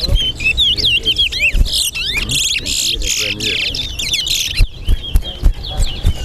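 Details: Competing towa towa (chestnut-bellied seed finch) in Guyana, East versus West Side bragging-rights match: lively twisting whistles and chirped trills, some harsh buzzy bursts, with spectators talking and counting.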